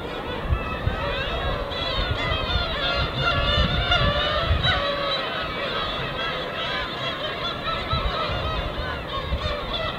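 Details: Over ten seconds, gulls dancing in flight above the wintry East Sea give steady overlapping yelps and mewing cries, roughly three a second, with gentle waves rumbling low.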